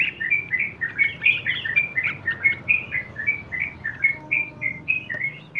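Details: Yellow-vented bulbul in long-duration rolling ropel song for tutoring young birds: a steady, unbroken stream of quick, bright, bubbly whistled phrases pulsing roughly twice a second.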